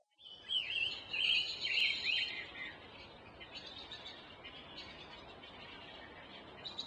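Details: A wild Oriental magpie-robin in Bangladesh sings a loud burst of varied, high, sweet whistles and chirps, then quieter notes over a steady background hiss.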